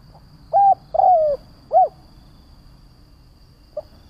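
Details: Spotted dove giving a lure call to provoke other doves: a flat coo, a long falling coo and a short arched coo, then silence and a faint soft note at the end.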